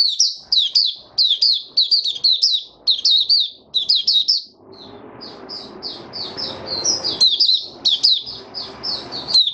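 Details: Male white-eye kept caged, in an opening song: fast runs of high, sharp twittering notes in clusters, with a broad low rustling or scraping noise in the background during the second half.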